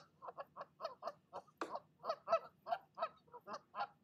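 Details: Female goose at her nest, still angrily calling after driving off a visiting goose: a rapid, steady run of about fifteen short, harsh honks, with one sharper, louder squawk near the middle.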